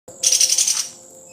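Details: Sumatran leafbird giving a short, rapid, buzzy trill of about ten fast harsh notes lasting under a second, over a steady high thin tone in the background.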